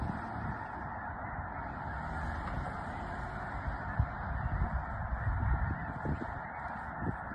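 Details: Snow geese rising together from Mobridge, South Dakota, on March 4: a thick wall of many honks blending into one steady, low roar, with a few sharper notes standing out in the second half.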